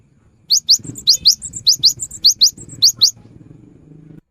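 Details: Cinereous tit in full song, played as a lure to start quiet birds singing: bright rising notes in pairs interleaved with softer chatter, over a low murmuring background.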